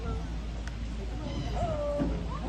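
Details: Reggie, a Timneh African grey parrot in a parrot show at African Lion Safari, says his favourite word, a tonal, slurred "hello", over a low background rumble.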